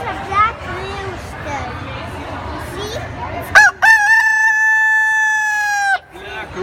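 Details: Black rooster crowing: after a few seconds of low clucks and mixed noise, one loud drawn-out crow starts with a sharp rise, then holds a steady, harmonic-rich tone for about two seconds before breaking off abruptly.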